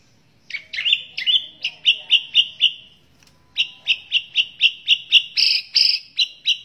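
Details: White-rumped shama in full, lively song, used as a tutor recording for other birds, with many varied phrases: a fast run of loud, bright, repeated chirping notes, a short pause, then another quick series ending in buzzier notes.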